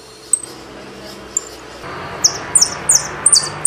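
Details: Saffron finch giving a few isolated high chips, then a burst of quick downward-sweeping notes in pairs over a soft background hiss.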